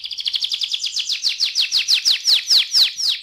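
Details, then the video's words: Canary delivering a rolling ngerol song meant to encourage other canaries: a fast high trill that gradually slows into wider, louder falling notes, evenly repeated. "KENARI NGEROL AMPUH BUAT PANCINGAN KENARI"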